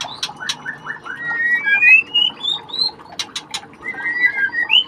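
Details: Chicks of the white-rumped shama, being ringed, give a long rising series of thin whistled notes followed by further upslurred whistles, over low background hum and sharp clicks.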